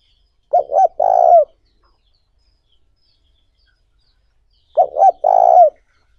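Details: Spotted dove calling to lure and provoke wild doves, used for training decoy birds; two coo phrases about four seconds apart, each two short hooting notes followed by a long rolling, burry coo, in a quiet background.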